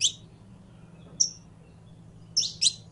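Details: Saffron finch, called canario criollo, singing a sparse phrase: a few high, sharp chip notes and one short whistled note, separated by pauses of about a second, with a faint low hum behind.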